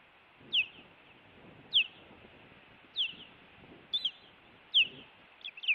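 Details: Osprey calling at its Montana nest, recorded by a live camera on 16 June 2017 during an intruder visit: sharp descending whistles repeated about every 1.2 seconds, ending with a quick double note.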